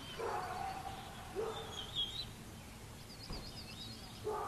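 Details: Female bald eagle at the nest on 6.11.22, bringing a fish and feeding her eaglet and an adopted baby hawklet. Short rough, harmonic growling bursts come about four times, with faint high chirps from other birds behind.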